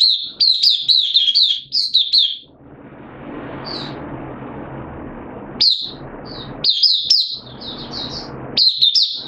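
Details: Hobby-kept white-eye singing on 8 September 2022, slightly off form: fast high warbled bursts of chirpy notes, then a stretch of broad rushing background noise with scattered short chirps before the twittering phrases resume.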